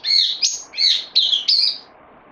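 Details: Brief phrase from a bulbul on loan, 12 September 2020: five quick bright slurred notes, then silence.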